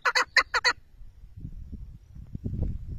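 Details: Chukar partridge giving a quick burst of four loud, harsh clucks, followed by low background rumble and scattered faint noises.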